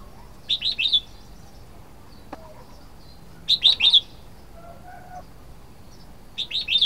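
Red-whiskered bulbul giving short bursts of three or four bright, chirpy notes, repeated about every three seconds against a quiet background.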